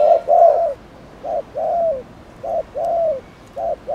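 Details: Spotted dove, cooing to provoke other doves, gives unhurried pairs of low coos, each a clipped note followed by a longer, gently descending one, in a quiet setting.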